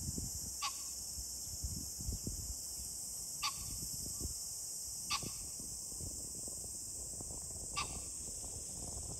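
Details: Green pheasant calling repeatedly on 21 July 2024: four brief harsh bursts spread over about nine seconds, beneath a constant shrill high-pitched drone and low rumbling noise.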